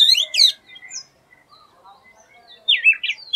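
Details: Oriental magpie-robin, doyel in Bengali, giving an unusual song: a brief pair of sharp, sweeping high notes, a quiet gap with faint distant whistles, then a loud slurred, wavering whistled phrase.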